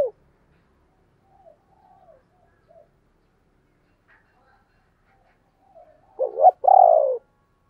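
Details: Spotted dove calling in the thúc and gáy gọi manner: several very faint scattered soft notes, then near the end a loud wavering coo and a longer falling coo.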